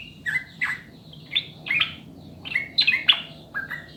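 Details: Sooty-headed bulbul used as a master recording to get birds singing fast: rich bubbly whistled phrases in short bursts, some notes sliding down, clustered near the end into a quick tumbling run.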